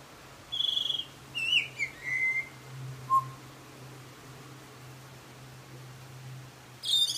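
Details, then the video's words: Butcherbird singing: a few scattered whistled phrases, a high sliding note, then a falling slur and a short low note, with long pauses between. A steady low hum runs underneath. "Butcher bird singing"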